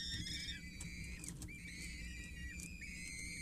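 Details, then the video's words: Peregrine Falcon nestlings aged 6-8 days, four in the brood at Scheveningen, begging during a feed by a parent on 8 May; long thin whistles that sag at their ends, overlapping, above constant low hum. "Watertoren voedering 8 mei 2023"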